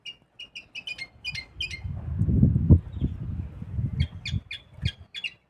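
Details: Red mixto canary hybrid, 2025, being prepared for song contests: series of short repeated chirping notes, about three per second, broken in the middle by low thumping and knocking noises before the chirps resume.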